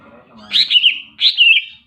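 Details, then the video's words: Two quick, slurred whistled phrases from a greater green leafbird, each bright and warbling, given about half a second apart. "burung cicak ijo super gacor"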